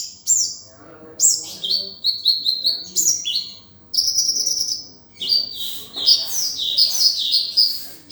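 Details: Tutoring recording of a sunbird in konin dacok style with rich filler: bursts of rapid high chirps and trills separated by brief pauses, bright and shrill throughout.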